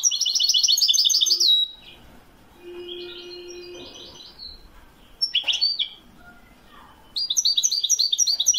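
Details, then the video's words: Widani-style song of a European goldfinch from Morocco, 2021: a dense ringing twitter, a soft low hum in the pause, one sharp chirp, then the liquid rapid trill returns. "تسجيل طائر الحسون الويداني من أجمل الطيور لسنة 2021... le meilleur chant du chardonneret au maroc"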